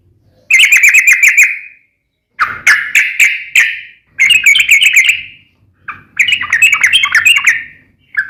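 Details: Trucukan, or yellow-vented bulbul, in full active song. It gives four bursts of fast chattery notes, each about a second long, separated by short silences. A soft low rumble sits underneath.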